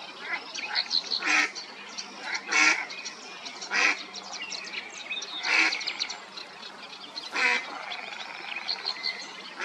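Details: Female mallard calling her mate: loud, harsh quacks spaced one to two seconds apart, each a short broad burst, with softer chatter and faint background rustle between them.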